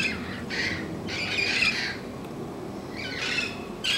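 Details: Red-crowned amazons, protected parrots calling every morning, utter a few harsh raspy squawks in separate bursts about half a second to a second long, with quieter gaps and low outdoor background noise between them.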